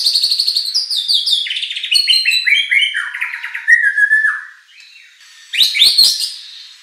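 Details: Loud white-rumped shama song, played in Indonesia so competition birds answer back: a tumbling cascade of fast descending trilled notes, a brief pause, then a harsh high burst.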